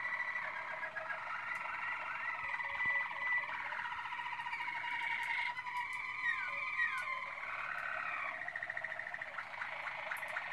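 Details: Waterslager canary of Malinois type, 2016, singing long continuous tours with gliding, siren-like rising and falling notes and rolling trills, with faint clicks in the background.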